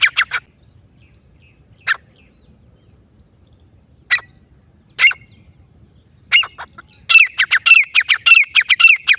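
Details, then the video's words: Grey francolin, the Sindhi bagra teetar, with scattered single harsh notes spaced a second or more apart, then a rapid excited series of rasping squawks building up at the end. "Sindhi bagra teetar ki awaz"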